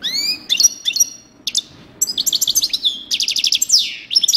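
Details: European goldfinch in coupleur song: rising whistled slurs, then dense sparkling twitters and rapid pulsed chattering, ending with a descending sweep and more bright trills.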